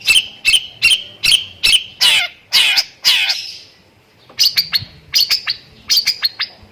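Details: Long-tailed shrike song with lovebird imitations: eight loud harsh buzzy notes in quick rhythm, a brief silence, then a string of high thin chips in small groups.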